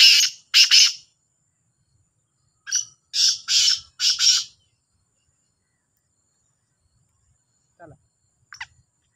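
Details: Two black francolins calling in competition: a pair of harsh rasping notes, then a faster run of four grating syllables, followed by long quiet with a few faint distant notes.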